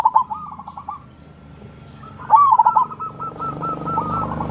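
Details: Local wild zebra dove of crossing type, song meant to stir lazy birds into calling: overlapping phrases of a rising coo and a rapid rolling string of soft notes, with a fainter second dove cooing in the background.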